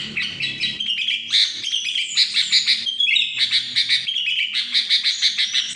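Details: Sooty-headed bulbul singing in the trilling style known locally as ngetril: continuous bright, high chattering warble of quick repeated notes and rapid trills, with no pause for nearly six seconds.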